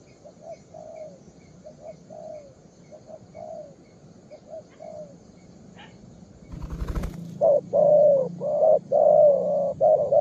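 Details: A young spotted dove calls: soft, distant-sounding coo phrases, then a loud knock or thump, after which louder, closer coos follow rapidly in a short-note pattern.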